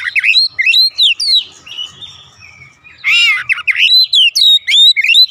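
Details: Oriental magpie-robin singing at home as a provoking song for other birds: quick looping whistled notes, a short quiet stretch, then a harsh buzzy note followed by more fast rising whistles.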